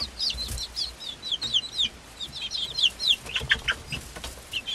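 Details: Swedish Flower Hen chicks aged five weeks, hatched on 26 February 2022, together with one Silkie chick, peep rapidly and busily: high, sliding cheeps from several birds, about four per second, with a few sharper, louder chirps midway.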